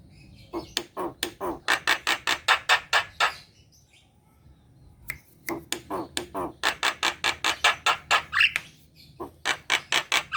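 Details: Kept black-winged myna singing to trigger song in lazy birds: long series of loud, dry clicking notes at a steady fast pace, a short pause, then another clicking run with a brief whistled rising note.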